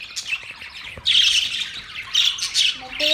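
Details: Pet budgerigars chatter in a dense, high, scratchy warble, with louder bursts of squawky chirps after one second and again near two and a half seconds, and a brief low tonal sound at the end.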